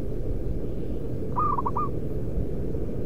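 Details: A single rolling cooing phrase from a local zebra dove used as a lure bird: a brief run of four or five soft, quick notes with a drawn-out ending, set against steady low background rumble.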